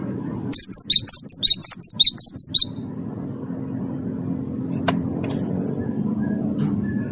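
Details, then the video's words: Rapid ringing phrase from a champion wingko cinereous tit used as a song lure: around a dozen sharp high chips alternating in pitch, followed by seconds of quiet with a steady low hum and a faint click. "gelatik batu wingko gacor juara satu pancing bunyi gacor"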